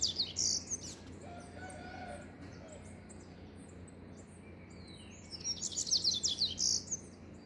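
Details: Rusty-collared seedeater singing: a rapid burst of high, bright twittering chirps at the start, a quiet stretch with faint lower notes, then a second dense jumble of sharp, high chirped phrases near the end.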